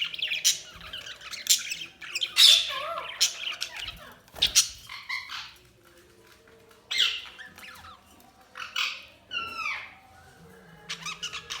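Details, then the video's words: Budgie chirps and harsh squawks in separate bursts, including a quick run of descending whistled notes, with quiet gaps between calls. "Budgies Sounds| Budgies Chirping sound"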